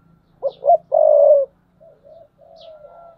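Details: Spotted dove kept as a decoy bird, cooing a short hollow note pair then a long steady low coo, followed by quieter trailing coos, in a quiet setting.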